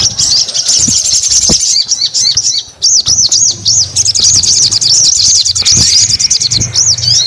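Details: Singing Crested Jay, chatty and vigorous: a string of arched, looping high whistles repeated rapidly over a continuous buzzy high chatter.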